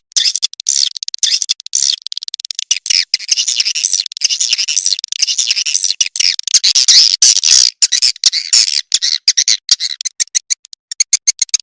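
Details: Broadcast call of edible-nest swiftlets meant to attract the birds, a steady high, harsh twittering made of fast chirps and buzzy trills that runs almost without pause, thinning into separate clicks near the end.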